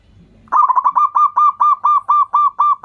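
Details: Local Indonesian zebra dove used as a lure to set other doves calling: one long run of about ten rapid, even, hollow cooing notes, each with a slight upward inflection, after a faint low rumble.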